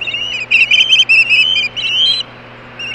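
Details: Osprey chicks screaming on the nest: a rapid run of high, thin whistled notes with harmonics, about a dozen clipped peeps over two seconds, then quiet with a faint whistle at the end.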